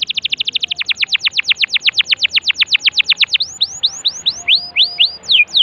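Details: Canary song meant to stimulate a silent canary into singing: a fast even trill of sharp descending notes for over three seconds, then slower, separate swooping whistles.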